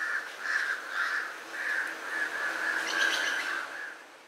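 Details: Legge's hawk-eagle in a backyard in Sri Lanka while feeding on prey it caught there, giving a run of shrill, strained notes about twice a second, steady in pitch and running into one another, over faint background hiss.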